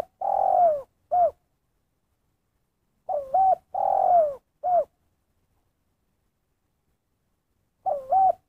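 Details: Spotted dove in 'kuk satu' style. The tail of one phrase, then a full phrase of hooked double coo, long descending coo and a single short kuk. After a three-second pause the next phrase begins.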